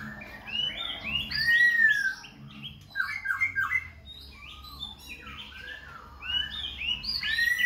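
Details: Khe Sanh laughingthrush singing and dancing, continuously switching voices: a rich, varied run of whistled and slurred phrases, some rising and falling, with short chattery notes between them and brief pauses.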